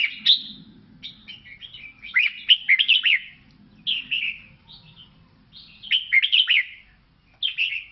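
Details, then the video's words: Red-whiskered bulbul from Laos singing bright, chirpy warbled phrases in bursts separated by short pauses, with quick slurred up-and-down notes. A low hum runs underneath. "เสียงนกกลงหัวจุกลาว แววดี"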